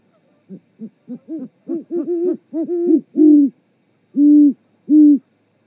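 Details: At a Charlo, Montana osprey nest cam, 7 February 2018, 18.12, two great horned owls duet while mating: short low hoots quicken and swell into overlapping calls, then end with two long drawn-out hoots.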